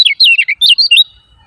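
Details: Lemon-bellied white-eye 'ciak ciak' lure call meant to make quiet birds sing: a short burst of five or six high, sharp downslurred chirps, then silence.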